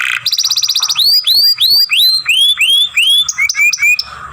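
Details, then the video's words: Young canary giving a masteran song for training, long grumbling sounds: a rapid buzzy trill opens, followed by loud arching slurred whistles repeated about three per second, then shorter rising chirps. "Young Canary Masteran, Long Sounds Grumbling"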